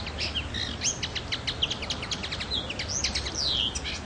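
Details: Common linnet recorded on the island of Pantelleria on 9 January 2011: a quick run of twittering, chirpy notes with short buzzy and whistled elements, high-pitched and steady throughout, over faint low background noise.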